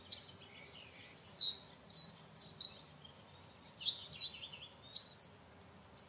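Eurasian siskin giving high, thin twittering bursts with wheezy down-slurred notes, about one burst every second, over faint background hiss.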